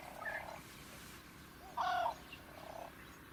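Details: In natural habitat in Africa, a fork-tailed drongo gives one loud, rasping nasal note near the middle, flanked by a softer harsh note at the start and another at the end, over quiet outdoor background.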